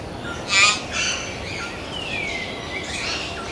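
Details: Common hill myna of India's mountains: a loud, harsh screech, a softer rasp, then a long downward-sliding whistle followed by faint chirps.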